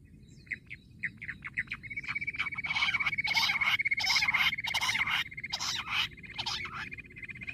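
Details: Jungle bush quail recorded during quail hunting; a rapid run of short, chirping, broadband bursts that grows louder after two seconds and continues irregularly, over a steady high insect-like whine.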